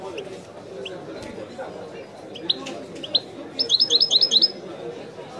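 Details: Caged European goldfinch in widani song style: scattered high chirps and short whistled notes, then a quick rattling series of about eight bright, buzzy twitters near the end, with a soft murmur of background noise.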